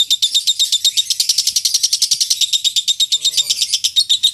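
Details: Lovebird giving its long 'ngekek' chatter, a master recording for training birds for singing contests: rapid, harsh, high-pitched pulses repeated without pause throughout, with a faint low sound briefly underneath midway.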